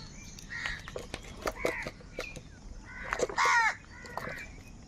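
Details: Angry crows competing for food call repeatedly with rough caws, building to one especially loud, strained caw near the end over soft background calls.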